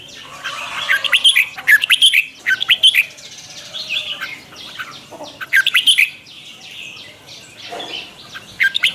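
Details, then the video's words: Red-whiskered bulbul decoy song for morning training, lively 'chè' style: clusters of rapid whistled and rolling notes, the first spanning about three seconds, then softer chatter and a second burst, a brief phrase closing. "Luyện chào mào hót sáng, Giọng xoắn QUÁ HAY- CHÉ KÍCH BỔI CĂNG ĐÉT"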